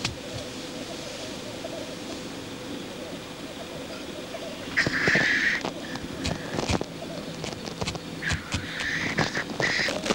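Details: Black grouse lek display: a soft bubbling murmur for the first half, then loud hissing sneezes and higher chirping notes from nearby birds.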